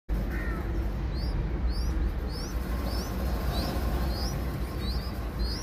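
Young bulbuls give thin, high, upslurred chirps, about two per second, over a steady loud low rumble.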